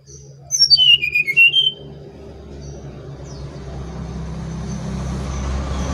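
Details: Brown-chested jungle flycatcher from Bali singing: a bright whistled phrase descending in quick steps and curling up at the end, then a rising rumble of passing traffic.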